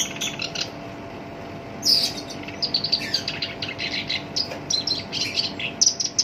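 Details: Coarse chattering song of a kept black-browed reed warbler, called sinchan, used as a master for songbirds like the Rol Tembak type: a sharp buzzy burst, then a long run of rapid gritty notes.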